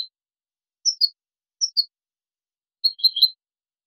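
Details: European goldfinch giving basic song elements, the complaint notes and ornaments of its song: short high thin twittering notes in pairs and small clusters separated by pauses, clean with no other sounds.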